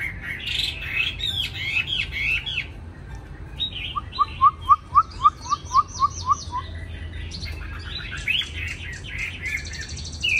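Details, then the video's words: Caged Chinese hwamei from Hanoi, Vietnam, singing a varied, loud song: rich warbled phrases, then a run of about ten evenly spaced, clear rising whistles, followed by more jumbled, chattering notes. "mi hót mau mỏ"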